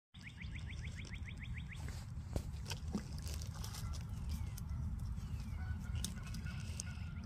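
A Northern Cardinal gives a quick run of about ten clear, down-slurred whistles in under two seconds, over a heavy low rumble with faint chirps afterward.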